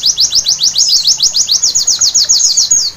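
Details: Used at night to make white-eyes sing hard: a white-eye pours out a fast, even sequence of piercing high slurred chirps, ending on a long thin whistle.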